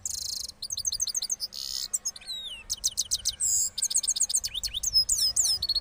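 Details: A post-moult cross goldfinch from Parachinar pours out continuous rolling song, high buzzy notes alternating with swift repeated twitters and downslurred whistles, hardly pausing.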